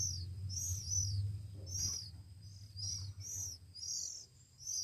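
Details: Hand-fed Oriental magpie-robin chicks, one week old, beg with rapid high arched squeaks, several per second, over a low background hum.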